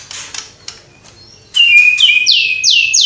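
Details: White-rumped shama pouring out lively song mixed with copied sparrow, fighting lovebird and kapas tembak calls. Faint chirps, then a sudden loud run of clear whistles and three strong, ringing down-slurred notes in quick succession.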